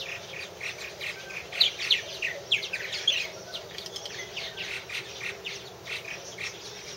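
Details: Purple martins at a nest house, 2014, giving rapid uneven chirps and croaky gurgles; a burst of sharp notes peaks in the middle and is followed by quieter steady chatter.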